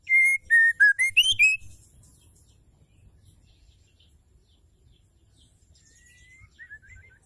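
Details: Female white-rumped shama calling to stir males into singing: a quick series of clear whistled notes, falling then rising, in the first two seconds, then quiet with faint low rustling and a few soft distant chirps.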